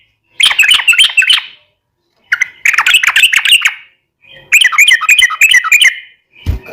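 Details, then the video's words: Yellow-vented bulbul in full vigorous long rapid chattering song (ropel panjang), used as a lure so other birds answer; three bursts of bubbly, warbled notes about a second each with short pauses between. "SUARA trucukan gacor ROPEL PANJANG pancingan trucukan agar bunyi"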